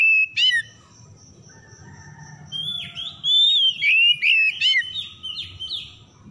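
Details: Oriental magpie-robin (kacer) song from a lure meant to make stressed, quiet birds sing; one sharp whistled note, a quieter stretch with low background rumble, then a lively series of loud slurred whistles.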